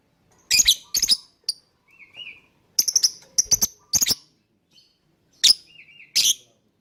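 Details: Lovebird chatter used to make other birds sing along: clusters of shrill, rasping chirps in quick runs, with soft wavering whistled trills between bursts.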